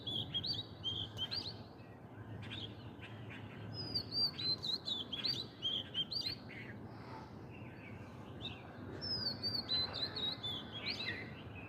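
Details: Oriental magpie-robin near flowering mango trees and a coconut palm, delivering a lively stream of varied whistled phrases, some rising, some falling, with short pauses, then a fresh burst of high whistles toward the end over faint ambient noise.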